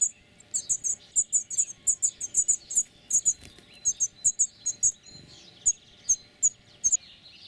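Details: European serin courtship song in spring, from an olive tree: short, very high, glittering bursts of notes strung quickly together in a jingling, uneven cascade, then thinning out toward the end.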